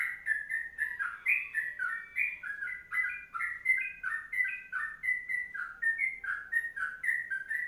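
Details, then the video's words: Tutor recording of a sooty-headed bulbul in long kongslet song: lower, rounded whistled couplets chained rapidly and evenly, some phrases slurred upward, with faint high chips behind. "Masteran Trucuk Kongslet Panjang"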